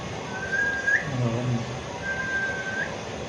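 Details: Alexandrine parakeet kept as a pet, known for talking and mimicry, giving two long level whistles, each ending in a short upward flick, about two seconds apart over low background hum.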